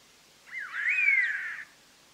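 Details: One full phrase from a collared laughingthrush in a trapping recording: a dip and then a strong, slightly rasping whistle that rises and slowly falls, lasting about a second.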